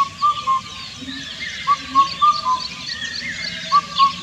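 An Indian cuckoo gives its mellow, whistled four-note phrase, the notes stepping slightly downward, repeated about every two seconds over a faint rural background hum.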